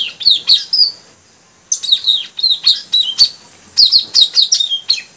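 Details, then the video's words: Caged, newly caught male puling bird among three being trained to sing vigorously; rapid, bright, high chirps in dense runs, a short pause, then another long fast series of sharp tweeted notes. "Suara gacor burung puling tajaling si anak baru"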